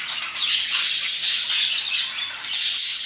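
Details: Brief burst of several parakeets at around 2pm: bright, scratchy chirps and squeaky notes running together in a steady high chatter.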